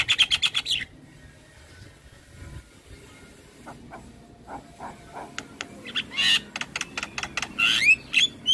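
Javan myna song: a fast run of chattering notes, a pause, then scattered sharp whistles and harsh, wheezy squawks.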